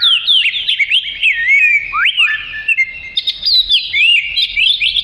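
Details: Oriental magpie-robin giving a melodious song, played as tutor material for other songbirds: a continuous run of sweet whistled phrases, quick rising and falling slurs and sharp upward sweeps, steady and loud throughout.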